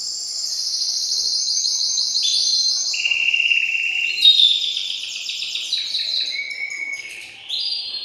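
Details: Caged male canary in excited song, urging the female toward mating: continuous fast rattling trills stepping down and up through several pitch levels, with a clear steady whistled note near the end.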